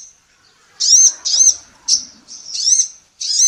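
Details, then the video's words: Energetic female sunbird, called kolibri ninja locally, recorded as a tutor for songbirds: high slurred whistled notes, some drawn out and wavering, in an uneven series with faint background murmur. "SUARA BURUNG KOLIBRI NINJA BETINA GACOR"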